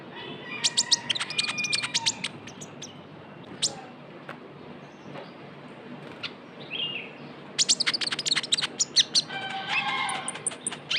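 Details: Juvenile Javan white-eye calling as a lure: clusters of quick high chirps and short trills, quieter in the middle, then a lively rapid burst toward the end.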